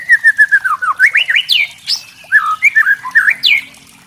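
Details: White-rumped shama trotol singing kretekan, a crackling song used to provoke other shamas; a fast string of falling whistles breaking into upward-sweeping, rolling phrases, loud and continuous.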